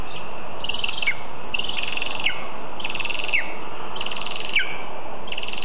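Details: Lesser spotted eagle calling at its birch nest, roughly 20 m high in Zemgale, on 19 August 2023 at 9:24 am while a vole is brought in. Five buzzy, harsh yelps with falling tails repeat about every 1.2 seconds.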